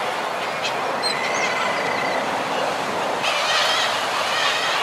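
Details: Common guillemots calling from a group on their breeding ledges, with fulmar and kittiwakes also present: a dense, continuous growling chatter of many birds, a few thin higher calls above it, and a broad rush of surf-like noise.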